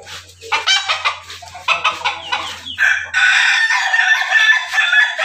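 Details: Rooster of an ayam ketawa, pelung and Bangkok Jogja cross: a string of short staccato cackling notes, then a sustained harsh crow filling the last two seconds; a low steady hum underneath.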